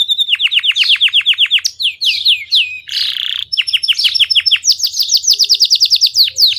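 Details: Lively Belgian canary song made of quick repeated downslurred whistles in runs, brief rising notes, a short harsh burst, then more rapid chip-like sweeps climbing higher, delivered with energy and few pauses.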